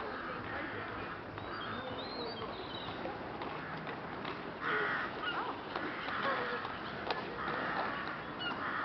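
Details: Flocking rooks in Boscawen Park, Truro, on 8 January give scattered hoarse caws, stronger in the second half, with faint higher chatter and a steady background rumble.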